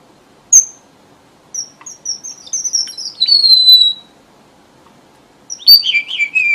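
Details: Red avadavat lure song used by bird trappers: a high sharp note, then a run of thin whistled notes that slide down into a long falling whistle, and a final descending twittering phrase after a pause.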